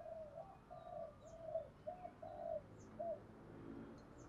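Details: Spotted dove in the 'thúc gù' cooing style used to stimulate decoy birds: soft mid-pitched coos repeated about twice a second, then trailing off, over noisy background hiss, with thin high chirps of small birds.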